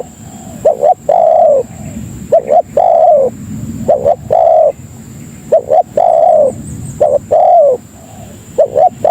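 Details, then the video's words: Spotted dove (tekukur) lure call for attracting fellow doves: repeated phrases of two short hoots and a long, mellow, gently falling coo, spaced about every two seconds over a low background rumble. "Suara Burung Pikat Tekukur Paling Ampuh Untuk Masteran dan Pikat Memanggil Kawan"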